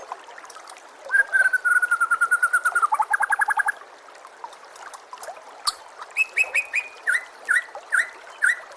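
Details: White-rumped shama song as masteran material for caged birds: a long level whistle breaks into a rapid rattling trill, then after a pause a set of clear rising whistles repeated about every half second.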